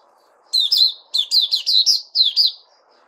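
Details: A caged Puteh Raja bulbul sings bursts of bright, warbling chirps in three quick groups, with a faint low hum behind.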